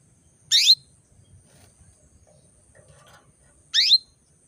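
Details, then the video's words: Female canary calling to bring males into breeding condition: two short, bright, sharply descending chirps about three seconds apart, with near silence between them. "PANCINGAN KENARI BETINA MEMANGGIL JANTAN"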